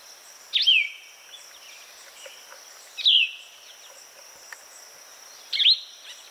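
A Plumbeous vireo sings three short, burry, downslurred phrases, one about every two and a half seconds, over a steady high insect drone.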